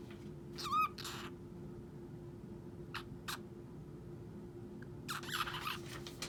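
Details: A pet cockatiel that talks and sings gives a brief warbling whistle, then scattered harsh chattering notes over a steady indoor hum.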